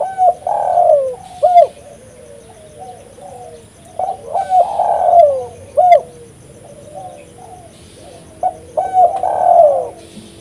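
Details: Spotted dove calling energetically, used as a lure for catching doves; the same mellow multi-note cooing phrase repeats three times, roughly every four seconds, with short pauses between.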